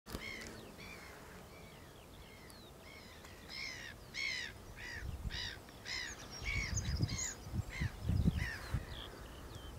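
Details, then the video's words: Eurasian oystercatcher, while feeding and mating, giving loud shrill piping calls in rapid, uneven series, roughly four per second, with low rumbling wind or surf noise below. "Oystercatcher (Eurasian) - Haematopus ostralegus - Feeding | mating"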